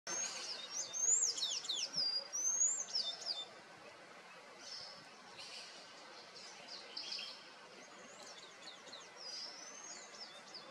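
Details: White-spotted woodpecker at its nest in Serra da Cantareira, São Paulo city, Brazil, recorded in August 2023: thin, high squeaky notes sliding down, clustered in the first few seconds, then softer scattered chirps over steady background hiss.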